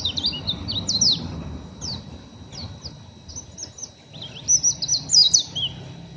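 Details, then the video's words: Young, untrained oriental white-eye giving rough ngeriwik chattering: quick high thin chirps and squeaky slurred notes in bursts, louder at the start and end, over a low background hum. "PLECI NGERIWIK KASAR BURUNG MASIH BAHAN"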